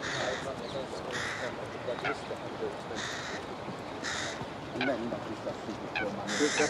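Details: Young carrion crow begging its parent for food while the parent ignores it; harsh, buzzy rasping calls come every one to two seconds over a constant noisy background.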